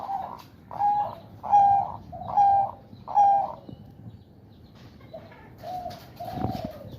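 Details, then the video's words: In breeding condition, a caged male zebra dove in a woven bamboo cage coos while its owner teases it by hand; four or five rounded, purring coos in quick regular succession, then quieter lower notes and a rustle. "Suara Perkutut Ngerot dan Bekur"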